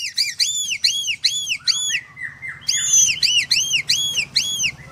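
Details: White-rumped shama (murai batu) from a bird farm in Kendal singing in 'nembak' style: loud arched whistles repeated in rapid series, a brief lower trill mid-way, then another burst of the same bright looping notes.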